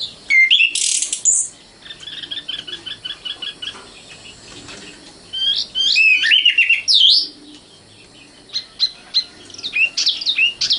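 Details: Young common nightingale, locally sikatan londo, singing loud varied phrases: a piercing high burst, a chattering run of repeated notes, swooping slurred whistles, then sharp clipped notes in quick bursts.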